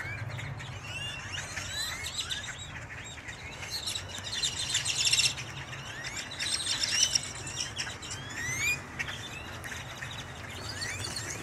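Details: A noisy chorus of blackbirds overruns a Dallas Wal-Mart on 31 October 2022, with waves of upward-sweeping whistles and chirps rising and falling in intensity, and traffic rumbling low.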